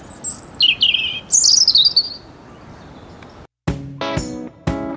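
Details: A European robin sings from the budding trees in early spring sunshine along a disused railway path near Preston. It gives thin, high, tumbling phrases, and then music with plucked notes comes in.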